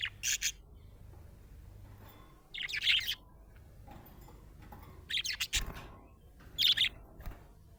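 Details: A happy budgerigar gives four bursts of harsh, high chattering chirps, separated by pauses of about two seconds, with a low thump between them.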